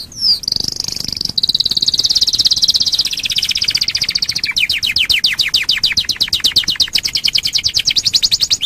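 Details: Domestic canary lure song to get other canaries singing: a loud high sustained trill that shifts into a slower series of rapid downslurred notes repeated steadily.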